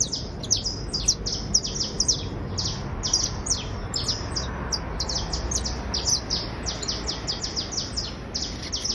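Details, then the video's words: Criollo basto canary, a creole type, in full trill: long, continuous volleys of sharp, very high chirps repeated in fast bunches of several notes, steady and energetic, over light low-pitched background noise. "Canario criollo basto trinando"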